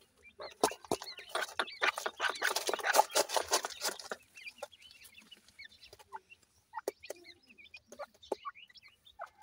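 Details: Partridge chicks playing: a dense burst of scratching and pecking taps for several seconds, then isolated high arched peeps and twitters over quieter background.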